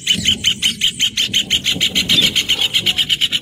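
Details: Rufous hornero song as a rapid run of strong, evenly spaced piping notes, each with a clear high tone, keeping a steady rhythm for over three seconds above faint low noise.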